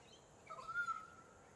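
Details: Pied currawong recorded in October on Queensland's Sunshine Coast gives one pure whistled note that lifts slightly, then holds steady for roughly half a second, against quiet ambient noise.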